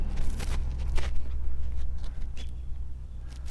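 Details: Low rumbling outdoor noise, like traffic or wind, with a few brief broadband clicks and scuffs; no animal voice stands out.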